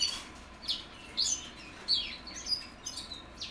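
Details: Sparse practice song from young 2021 goldfinch mules: separate high, sharp chirps and downslurred notes spaced about every half second, with quiet gaps and a soft hiss between them.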